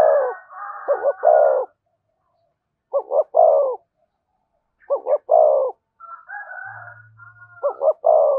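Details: Spotted dove cooing in the thổ voice with thúc and kèm phrasing: mellow repeated phrases of two quick notes and a longer rolling coo, spaced roughly every one and a half seconds, with a second, higher overlapping dove voice joining in places.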